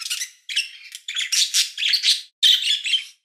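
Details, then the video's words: A chickadee gives a run of harsh, buzzy, high notes in quick bursts with brief pauses, like drawn-out dee notes; no other sounds. "Chickadee Chirp"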